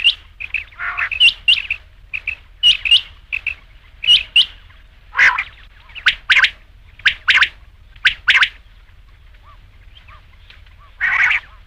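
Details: Rain quail calling: sharp, metallic double notes in irregular bursts, mixed with short repeated high chips and a few rasping notes, quiet gaps between phrases.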